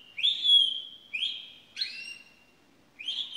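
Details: Pet canary giving an unusual song: four drawn-out whistled notes, each starting with a sharp rise and then gliding slightly downward, separated by short gaps in a quiet room.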